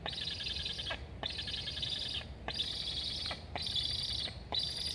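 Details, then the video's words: Nest camera in Estonia, 26 August 2021: a young Black stork asks to eat while its sibling flies around the nest. Five wheezy, grating bursts come almost back to back, each close to a second. "Sibling flying along the nest, Julge 7181 asks to eat. Both are chirping."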